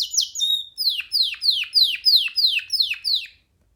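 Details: Canary singing freely on a hand, delivering a steady string of about eight loud downward-slurred notes, evenly spaced roughly three per second, after a couple of opening chirps.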